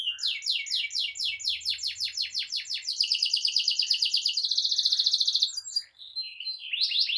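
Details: Lively, nonstop canary song used as a tutor for young canaries and to prompt silent canaries to sing. Rapid repeated high descending sweeps give way to a fast buzzy rolling trill, then scattered whistled notes and a renewed burst of sweeps.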